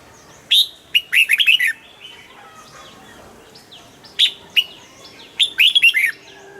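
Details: Caged red-whiskered bulbul, kept by enthusiasts who enter birds in competitions, singing to rouse other birds: two loud phrases, each a sharp opening note followed by a rapid, bubbling run of bright notes. Faint chirps from other birds come in between.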